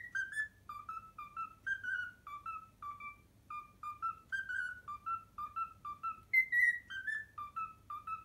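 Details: Cockatiel whistling a learned tune, the Pythagora Switch opening theme: a run of clear, sliding whistled notes, short and evenly paced, rising to a higher note near the end, with faint low background hum.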